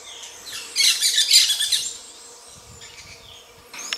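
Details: Gray-breasted parakeet (Pyrrhura griseipectus) during mating. A loud burst of harsh, grating, rapidly repeated high notes lasts about a second, followed by fainter scattered calls and a short rasp at the end.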